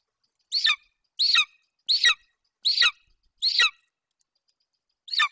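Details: Young male golden eagle calling at the nest in Bucovina after his mother brings in a hare, 27 July 2021. Five sharp, descending whistled squeals come at roughly even intervals, then a pause before one more.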